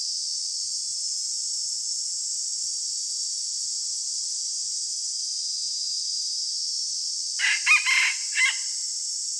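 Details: Red junglefowl decoy bird in the morning: a long stretch of steady insect drone, then one short, rasping, broken crow near the end.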